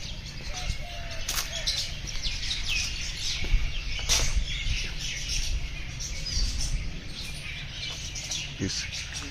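A rosy starling flock keeps up dense, scratchy chattering and sharp high chirps, with a low rumble of wind and handling noise underneath.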